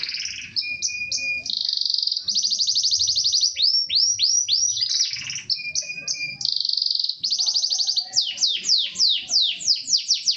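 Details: Corona Gloster canary in energetic song mixing long buzzy rolls, steady whistled tones and rapid series of downward-sweeping notes, loud and continuous throughout.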